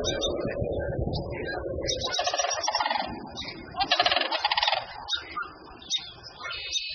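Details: Sandhill cranes at their nest on a morning when a mule deer came too close: the female calls, the male returns, the deer runs off and the male takes over incubation. Loud, rolling, rattled bugling bursts follow a couple of seconds of low rustling.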